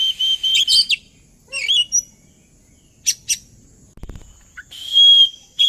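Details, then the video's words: Oriental magpie-robin (kacer) lure song to prompt singing along: sustained bright whistles, quick chattering phrases and sharp clicks, a brief low thump around the middle, ending in a long clear whistle. "Suara pancingan burung Kacer agar ikut narung"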